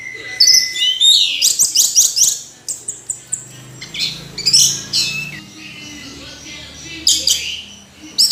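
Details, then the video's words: Orange-headed thrush in full song, pouring out fast, loud, varied phrases of sharp whistles, rattling notes and slurred high notes, with a longer pause midway before another burst. "Anis Merah Kicau Sampai Teler"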